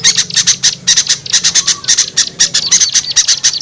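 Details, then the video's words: Call played to lure small birds that are reluctant to come down: fast, piercing high chirps in clustered groups, uneven spacing, a faint low drone beneath. "SUARA PIKAT AMPUH UNTUK BURUNG KECIL SUSAH TURUN"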